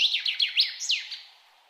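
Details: A wild bird sings a short burst of high, quick downslurred notes. Each note sweeps downward, and the phrase fades out over under two seconds against soft background hiss.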